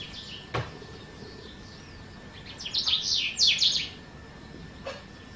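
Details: House bunting (Emberiza sahari sahari) at a riad in Marrakech, Morocco, on 22 June 2024 gives a brief burst of bright, high chirping notes tumbling over about a second, with a sharp knock before and faint low hum.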